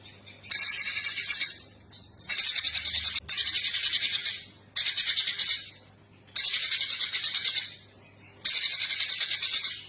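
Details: Streaked spiderhunter in vigorous song, giving six separate bursts of rapid, shrill chattering notes, each about a second long with short quiet gaps, the pattern repeating almost every one and a half to two seconds.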